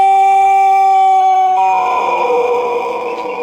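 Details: White Pelung rooster giving a long crow, loud and close: a steady, level harmonic tone held for about a second and a half, then stepping down to a lower, rougher tone that carries on to the end.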